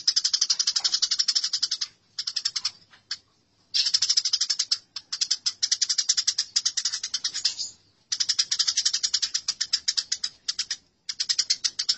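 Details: House sparrow fight: a sustained, rapid, rasping chatter of dense repeated high notes. It breaks into long rattling runs with several short pauses across twelve seconds.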